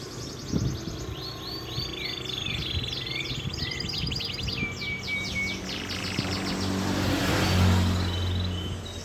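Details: Canary singing an original long master song without fill-ins: quiet, rapid high trills and brief level whistles set against strong low rumbling noise that swells near the end.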